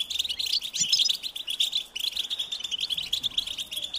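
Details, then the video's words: European goldfinch young give a high, insistent begging call to bring parents with food. Busy, crowded twittering runs on with a brief dip near the two-second mark, then resumes just as rapidly. "unique experience in stimulating goldfinch and chirping birds"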